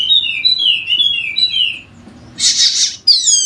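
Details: Wallacean white-eye, a golden-headed bird endemic to Sumbawa in West Nusa Tenggara, in energetic prompting song for sluggish birds. It gives a run of high, fast, descending whistled trills, then a brief harsh hiss, then more sharp chattering notes.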